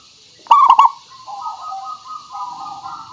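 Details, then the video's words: Zebra dove song used as a lure call: a sharp triple-pulsed cooing burst followed by softer, drawn-out low hums that waver gently up and down. "Suara Pancingan Burung Perkutut Pikat Paling Bagus Supaya Bunyi"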